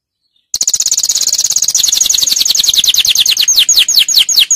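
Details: Canary singing a tutoring song for young birds: a fast high trill that gradually slows into separate falling chirps, each note a quick downward sweep, on a clean quiet background.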